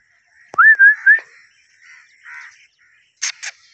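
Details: A blue Indian ringneck (rose-ringed parakeet) talking, saying "Mithu Mithu": a short, wavering whistled phrase like a spoken word, then two quieter tones and two sharp, harsh bursts in a small room.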